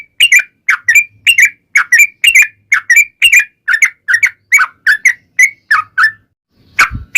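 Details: Yellow-vented bulbul giving a long ropel-style song meant to provoke other bulbuls into replying: lively, chattering whistled notes tumbling up and down in rapid sequence, ending with a short dull thump.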